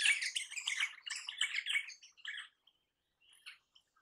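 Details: Crimson rosella giving loud, harsh screeching chatter for about two and a half seconds, fading into a few soft notes.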